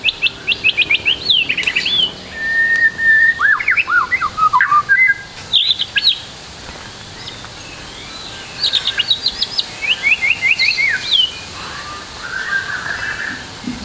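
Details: White-rumped shama tutor song rich in varied phrases: bursts of rapid high ticking trills, a steady whistled note and downslurred whistles, separated by short silences over faint background hiss.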